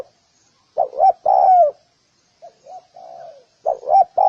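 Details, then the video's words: Spotted dove: a loud three-part coo phrase, then a fainter, softer phrase, then another loud one starting. Each has short curved notes before a sustained descending coo. No other sounds. "សំលេងសត្វលលកច្បាស់ល្អ(កន្លះម៉ោង) / Sound of Spotted dove ( 30 minutes)"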